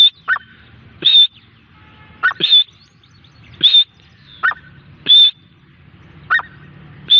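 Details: Grey francolin call sequence: a short lower note followed by a long, piercing high whistle. The pair repeats steadily roughly every one and a quarter seconds against a low rumbling background.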